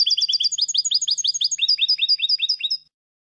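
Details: European goldfinch song used as a tutor recording for young goldfinches, a continuous fast run of high, liquid twittering notes repeated in quick succession for almost three seconds.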